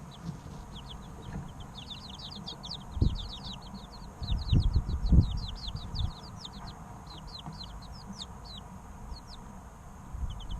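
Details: Three-week-old chicks chirping as they play, recorded to help eggs hatch in an incubator; many rapid, high, downward-slurred peeps overlap continuously, with low thumps and rumbling in the background.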